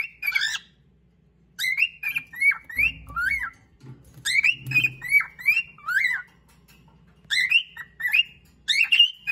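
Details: Domestic cockatiel singing at a companion to win its favourite perch: steady series of hooked, falling whistled notes in three long runs, with brief low thumps and rustling in the background.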